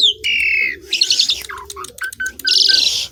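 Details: Asian pied starling singing: a long buzzy whistled note, then bursts of rasping chatter and short clicks, ending in a harsh hissing phrase, over a soft low cooing.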